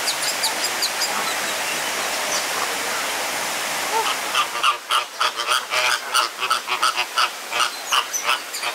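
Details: Captive flamingos fighting in a crowded enclosure at the Jardin Botanique de Deshaies, Guadeloupe; after steady background noise, a rapid run of goose-like honking calls, roughly three per second, uneven and overlapping.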